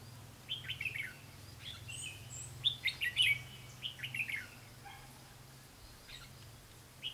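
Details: Red-whiskered bulbul used to lure wild birds into a trap, 4 November 2016: a run of repeated short chattering phrases of bright, downslurred chirps, several per few seconds, ending with a lone note.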